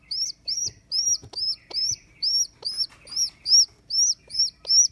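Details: Shrill, arched peeps from a baby rock pigeon rescued from a neighbour's roof after its mother left it, repeated about twice a second throughout, with soft clicks and taps between notes.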